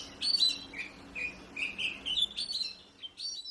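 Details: Oriental magpie-robin singing energetically, a varied run of clear whistled and slurred notes, some rising and some falling, delivered in quick phrases separated by short gaps.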